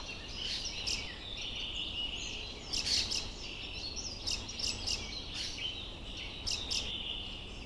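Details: Fieldfare fledgling calling: short high chirps and clicky notes in brief clusters, strongest around the third second and again near the fifth and seventh, over a steady hiss of background noise.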